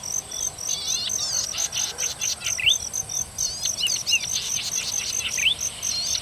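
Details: Golden-headed cisticola singing melodious phrases: buzzy chattering bursts mixed with sharp upslurred whistles, against a continuous high pulsing insect chirr throughout.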